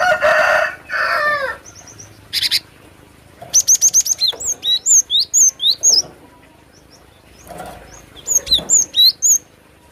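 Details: A burst of harsh, lower, noisy calling opens, then a cinereous tit sings long series of bright, piercing whistles, alternating downward and upward sweeps, with thin high chips between phrases.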